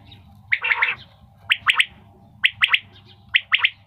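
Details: Common quail, possibly a female, giving quick, liquid three-note phrases, each clipped note bright and high, repeated about once a second over a faint low hum.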